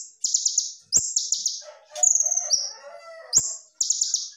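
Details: Kolibri ninja (purple-throated sunbird) tutor song: rapid high pulsed trills and a sliding whistle, while lower warbled chirps from another bird fill the middle of the recording.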